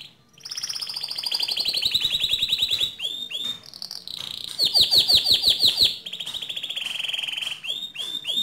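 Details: Canary in full 'gacor' song, used for training other canaries: long high buzzy trills gliding slowly downward, broken by rapid downslurred notes and a fast pulsing roll, continuous and loud.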